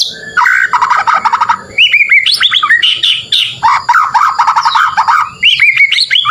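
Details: White-rumped shama song played as training to provoke a neighbour's bird: dense, varied phrases of rapid chattering trills and slurred whistles, some rising sharply, delivered almost without pause.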